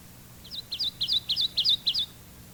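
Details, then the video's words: Kentucky warbler repeating its two-noted chiree, chiree song in a review from an instructional tape: roughly six rapid whistled phrases, each rising then dropping, evenly spaced across about a second and a half, with low background hum. "First, the Kentucky warbler's two-noted chiree, chiree, chiree, chiree."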